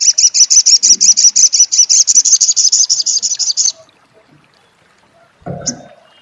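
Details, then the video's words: Sunbird, known locally as sogon or sogok ontong, giving a crecet-style song: a rapid, even run of high, sharp notes about three seconds long, then silence and a brief low thump near the end. "suara crecet SOGON / sogok ontong!!"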